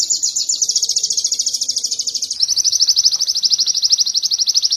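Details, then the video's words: Canary training song: a dense, very fast high trill that drops to a slightly lower pitch midway, with the notes rolling in a steady, rapid beat. "Masteran sogon kekinian materi kenari"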